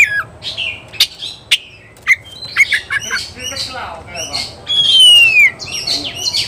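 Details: Oriental magpie-robin in a heated mood, singing to challenge a rival. Harsh squawky notes and scratchy chatter mix with sharp clicks, followed by a loud, clear, downward-sliding whistle and more grating phrases.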